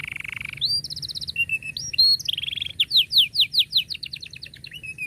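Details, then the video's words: Canary song used to train young canaries: buzzy roll, quick repeated chips and whistles, then a fast series of loud descending sweeps, about five per second. "KENARI GACOR PANJANG cuit cuit Ngerol Rapat Paling Dicari Untuk Pancingan Kenari Paud Belajar Bunyi"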